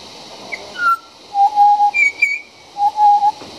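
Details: Juvenile pied butcherbird singing right outside a backdoor: pure, flute-like whistles, a higher opening note, then low drawn-out tones with brief high notes between, over a steady background hiss.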